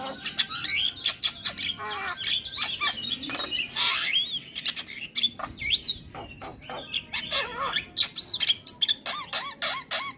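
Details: Javan myna in full filler-rich song for tutoring young mynas: dense harsh chattering and clicks mixed with looping whistled slurs that rise and fall, continuous and hurried.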